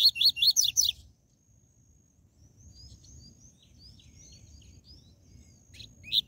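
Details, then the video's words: Double-collared seedeater (coleiro) in the TUI TUI ZEL ZEL song style, used to excite captive seedeaters. A quick burst of about six high, sweeping chirps in the first second, then near silence with faint distant high twitters. "COLEIRO e PAPACAPIM CANTO TUI TUI ZEL ZEL"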